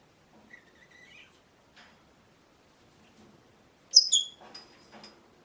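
An African grey parrot gives a soft whistled chirp, then a loud shrill squeak and a spluttering, raspy burst imitating a fart noise.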